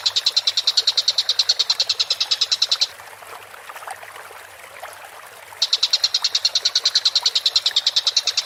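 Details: Collared kingfisher, known as tengkek buto, calling actively on a masteran recording: two bursts of fast, harsh repeated chatter, about nine notes a second, separated by a pause of nearly three seconds with only faint background noise.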